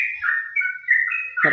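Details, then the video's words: A Yellow-vented Bulbul singing around 11 AM on an overcast, cool day, answering other birds: a quick, unbroken run of bright, gurgling whistles, steady in pitch, lasting a second and a half, ending in a brief rough burst. "trucukan ropel istimewa"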